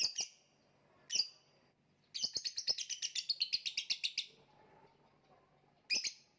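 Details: Lovebird giving shrill chirps, then a two-second burst of rapid rattling chatter, a pause, and one more sharp call.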